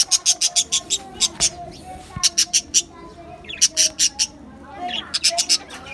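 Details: Australian budgerigars in an aviary colony on 11 July 2025 give clusters of rapid, sharp, high chirps, four to six in quick succession, separated by short pauses and soft chatter.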